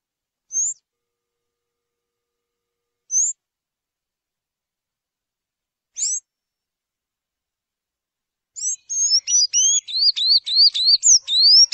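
Sayaca tanager: three thin, high squeaky notes a few seconds apart, then a fast run of twittering, upslurred squeaks. No other sounds.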